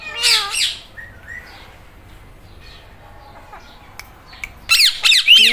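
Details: Green Indian ringneck parrot meowing: two sharp descending squawks, a long quiet stretch with faint clicks, then a burst of rapid squawks and chatter.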